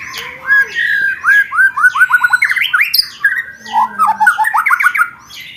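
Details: White-rumped shama in 'roll tembak' training material for contest birds, delivering fast repeated whistled notes in rolling series, each series bending downward, broken by sharp upward sweeps and a lower warbled phrase.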